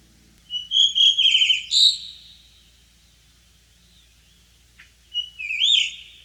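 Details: A blue rock thrush gives its spring-to-early-summer song, a clear, fluting phrase of warbled whistles and trills lasting about one and a half seconds, then a shorter rising whistled phrase after a pause.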